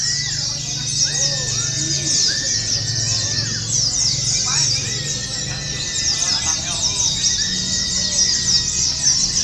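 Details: Many Oriental white-eyes in a simulated competition sing long, fast bursts of high chattering twitters, layered over one another, with occasional rising whistles, a low hum and people talking nearby.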